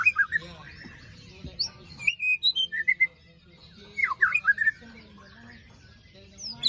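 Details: A white-rumped shama sings after its moult, heard as a lure recording for silent birds: a varied run of short whistles and squeaky notes in quick bursts, with a quieter gap between two busy stretches.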